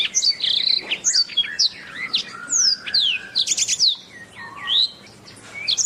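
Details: A canary pours out a continuous medley of high sweeping whistles and chirps, including a quick stuttering trill. The recording is intended as masteran material for training songbirds.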